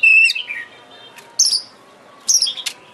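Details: Oriental magpie-robin lure song for stirring a kept bird to sing and spread its tail: a clear whistled note sliding down, followed by two brief bright, buzzy high phrases with pauses between.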